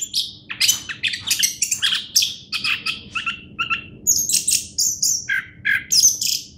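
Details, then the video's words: Orange-headed thrush, a champion bird, delivering a dense, continuous string of sharp high chips, buzzy trills and quick whistles, phrases tumbling one after another over a soft low background rumble. "anis kembang juara"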